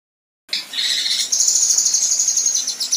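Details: Female kinoi giving rough rattling bursts and harsh rapid-fire phrases. After a short silence, a high, dense, buzzy chatter starts. It runs into a continuous fast pulsing rattle that is very high-pitched and steady in loudness.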